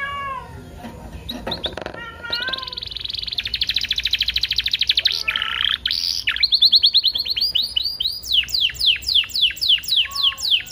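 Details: Canary song played to stimulate caged canaries to sing and to tutor them: varied sequence opening with scattered chirps, then a long buzzy rattle, a lower rolling burst, and finally a series of repeated downward-sweeping whistled notes.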